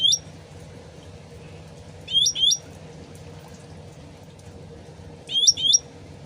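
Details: Sooty-headed bulbul recorded with running water for luring other birds: three short bursts of paired bright whistled notes, roughly three seconds apart, above a constant gentle trickle of water.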